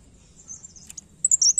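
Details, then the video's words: Newly caught blerengan bird singing actively: faint thin high notes at first, then a burst of loud, very high, sharp chirps and short twittering phrases over the last half second, against a quiet background. "Burung Blerengan Baru Ngombyok Langsung Gacor"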